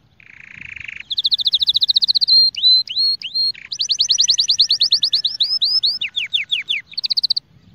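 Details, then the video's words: Canary song for song training: a low buzzy roll gives way to a long rapid trill, level whistles with dipping slurs, a run of quick rising notes, falling swoops, and a final fast trill. "أقوى تغريد كناري"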